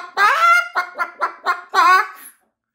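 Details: Max, a pet Moluccan cockatoo, indoors on a busy afternoon with its flock, gives a quick run of five loud, harsh, honking squawks in about two seconds, the first and last drawn out longer.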